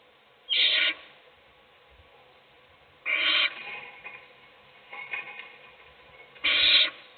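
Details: Nest-box owl feeding one chick as its nestmates sleep gives rasping, breathy hisses, three strong half-second bursts with fainter scratchy rustling in between.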